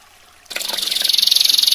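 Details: Canary 'tembakan' master song: after a brief near-silence, a high rapid trill bursts in and settles into a steady pulsing roll.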